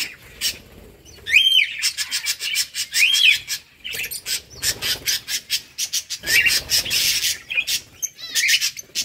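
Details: Peach-faced lovebirds kept as pets, giving loud, harsh squawking chirps in rapid bursts, with sharp rising-falling screeches repeated through the stretch.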